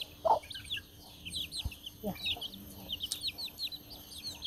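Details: Chickens eating, giving short high peeping chirps scattered steadily throughout, with occasional soft knocks and pecking sounds underneath.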